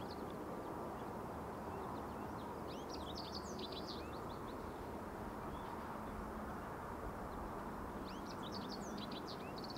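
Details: American goldfinch (Spinus tristis), song.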